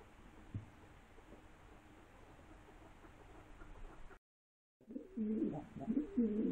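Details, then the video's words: Near-quiet background breaks after a pause into pigeons giving loud, throaty, wavering coos that roll up and down for the last second and a half. "Περιστέρια / Pigeons"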